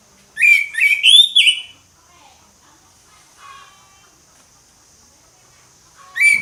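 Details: Loud ngeplong song from an orange-headed thrush: a strong phrase of three quick whistled notes rising into a long, sliding warble, followed by quiet, then the start of another loud note.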